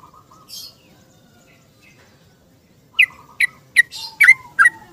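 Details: Yellow-vented bulbul singing in the morning to seek a companion, used as a lure. A few faint whistles and a buzzy note, silence, then six loud bubbly chirps in quick succession.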